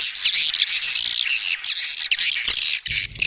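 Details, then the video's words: Swiftlet mating call: a dense, continuous chorus of high, buzzy chirps and twitters with overlapping calls and no pauses, ending with a brief low rumble. "SUARA WALET BirahiBeranak | the sound of swallow lust"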